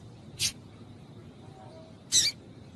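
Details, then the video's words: Female double-collared seedeater calling to stimulate a male: two short, sharp, high chirps about 1.7 seconds apart over a low, steady background hiss. "COLEIRO TUÍ-TUÍ FIBRA COM FÊMEA CHAMANDO ESQUENTAR COLEIRO"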